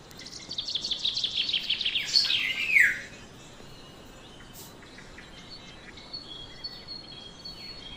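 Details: Black-naped oriole giving a rapid series of rasping, scratchy notes that build for about three seconds and end in a loud, downward-slurred squawk, followed by near silence with faint distant chirps.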